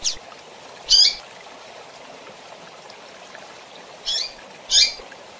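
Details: Calls of a female double-collared seedeater used to fire up males: four sharp high chirps, two early and two near the end separated by a long pause, with soft steady hiss.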